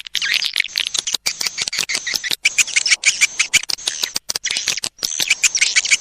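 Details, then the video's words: High chattering used to lure edible-nest swiftlets: quick repeated clicks and shrill chirps, roughly three a second at an uneven pace, forming a busy twittering stream. "SUARA PANGGIL RAJA PIKAT WALET"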